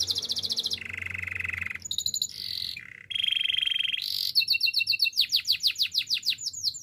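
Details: Spanish Timbrado canary singing a training song, moving from a high buzzy trill to a lower rolling trill, short metallic bursts, a deep roll, then fast repeated down-slurred whistles.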